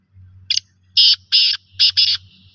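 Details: Black francolin, described as a local bird, giving a harsh grating phrase of one short note followed by four long rasping bursts in two pairs, over a steady low background drone.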